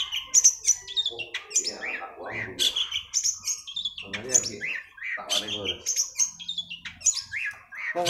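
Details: Long-tailed shrike song played as a lure to prompt a caged bird that has stopped singing: varied high chirps and whistles, broken by harsh rasping bursts with lower tones, and a faint low hum.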